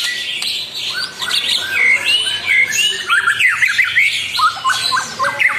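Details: Energetic white-rumped shama song intended to anger a rival: dense high whistles and buzzy notes give way to crisp, repeated rising slurs and short clipped whistled phrases.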